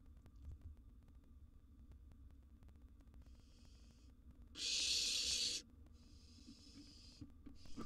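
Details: Barn owl nestling in a wild nest box at mealtime, given a large gerbil: one loud rasping hiss near the middle, flanked by fainter hissing bursts, otherwise quiet background.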